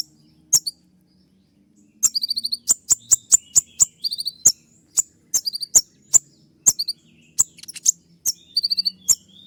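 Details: Olive-backed sunbird singing nonstop in shooting style. A brief call is followed by a silent gap, then dense, sharp high clicks and quick chirp trills. One downward-swept note is also heard.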